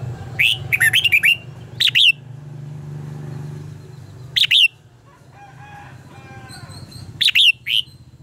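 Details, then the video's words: A red-whiskered bulbul sings fighting-contest phrases for training caged birds: a cluster of quick bright whistled notes at the start, then short slurred bursts spaced a few seconds apart, over a low background hum. "luyện giọng cho chào mào hót hay - căng lửa, chào mào hót quá phê"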